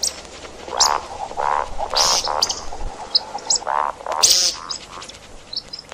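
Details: Hunting recording of see-see partridge: a series of rasping harmonic calls and piercing high squeals, delivered unevenly, several birds seemingly overlapping in a busy, scratchy chorus.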